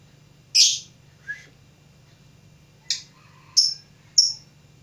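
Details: A lovebird practising its song gives scattered bright chirps: a loud sharp note, a softer lower one, a pause, then three more quick high chirps, with a steady low hum behind.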